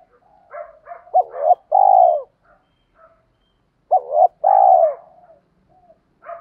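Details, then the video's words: Spotted dove giving a lure coo meant to provoke wild doves into answering: two phrases about three seconds apart, each with short clipped introductory notes and then a long, hollow, slightly falling coo. "chim cu gáy thúc kích bổi rất xiêng gáy, tiếng gáy gọi dúp bổi nghe xong có hứng gáy theo liền"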